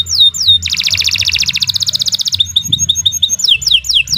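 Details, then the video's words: Caged canary singing a long, vigorous song used as a master recording for training other birds. Loud, high song with sweeping whistled slides, a fast buzzy trill held for nearly two seconds, then quick repeated chirps and descending sweeps. "Kicau Burung Kenari II GACOR PANJANG Cocok untuk Masteran"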